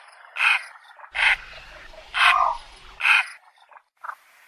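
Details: Javan pond heron uttering loud, raspy, broadband squawks roughly every second, harsh and noisy in tone, trailing off into a couple of softer short notes at the end.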